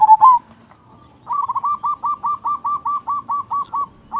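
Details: Local zebra dove in active song, known for a big 'kung' voice and used as a lure for other doves: one loud rolling coo, a pause, then a long steady series of about a dozen soft repeated cooing notes.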